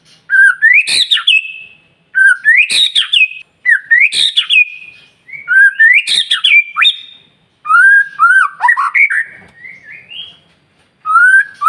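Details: White-rumped shama morning song aimed at provoking other birds: repeated phrases roughly every two seconds, each a rising whistle with a sharp click and fluty tail, one phrase more varied.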